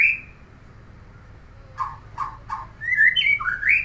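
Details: A neighbour's white-rumped shama sings loudly: a short whistle, three clipped mid-pitched notes, then rising and falling fluty whistled phrases. A low hum runs underneath.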